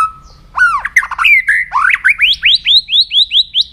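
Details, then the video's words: White-rumped shama singing in the morning, recorded for voice training: a long steady whistle, then varied slurred whistles, then a rapid run of about eight rising upslurred notes, loud and clear over a quiet low hum. "chòe lửa hót sáng luyện giọng chòe lửa hót"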